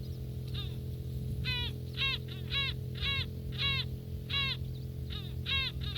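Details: Close-up of gulls eating in Northern Kazakhstan: a series of short, harsh, downward-sweeping harmonic calls repeated roughly twice a second, irregularly spaced, with a steady low hum beneath.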